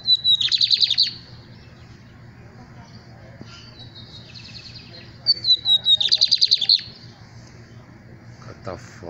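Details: Lined seedeater song: two bursts of rapid, buzzy trilled notes high in pitch, each about a second long and separated by a few seconds of quiet background hum, with a man speaking briefly afterwards.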